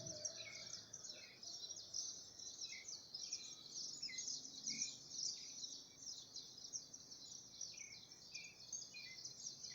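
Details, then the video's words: Birdsong in Brazil with brief slurred whistled notes repeating irregularly, about twice a second, beneath a continuous shrill insect-like drone that dominates the background. "Birds singing so beautifully in Brazil"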